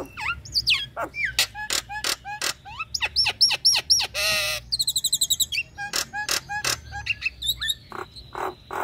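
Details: Kept female Nias hill myna in breeding condition calling a male. She gives a lively, varied string of loud whistles with rising and falling slurs, sharp clicks and a short rasping burst. A quick run of bright repeated notes follows, then more whistles.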